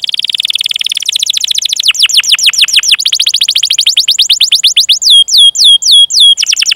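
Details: Long 'cuit cuit' chirping and rolling canary song, a training lure to prompt other canaries to sing: a fast, dense trill of rapid repeated notes, shifting into rhythmic downward-swept notes and a few longer rising whistles near the end.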